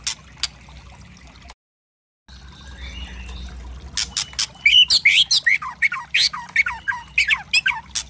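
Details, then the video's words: White-rumped shama tutor song for provoking birds: quiet warbling after a brief silence, then a loud run of harsh crackles and falling whistled notes. "Pancingan murai trotol memancing emosi bunyi gacor variasi kretekan keras murai trotol | bird sing"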